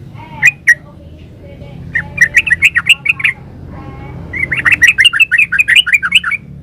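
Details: Yellow-vented bulbul (trucukan) singing in lively "gacor ropel uplik" style, used as a master recording for caged birds. Two sharp notes open, then two bursts of fast, chattering, bubbly notes in quick repeated runs over a quiet background.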